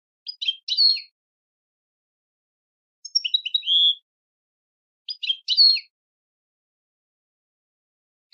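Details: Short goldfinch song phrases for training birds: three brief bursts of tinkling, chirpy twitter notes, each about a second long and spaced two to three seconds apart, then a final clipped note, in silence.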